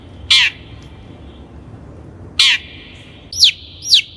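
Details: Long-tailed shrike, a lure recording for training birds: two harsh, broadband rasping notes spaced about two seconds apart, then two sharp descending whistled notes, over faint background hiss.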